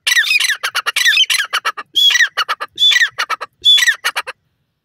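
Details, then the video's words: Male Black francolin (desi teetar) calling: harsh, scratchy bursts of rapid clipped notes with brief whistled high tones, delivered in quick broken phrases about a second apart, with silent gaps between. "nar teetar ki awaz"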